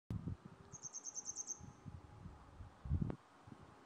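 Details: Grey wagtail perched on a high power line in Yangpyeong, Gyeonggi, Korea, in May, announcing its arrival: a quick run of about seven thin, high, sharp notes over steady low rumbling and thumping.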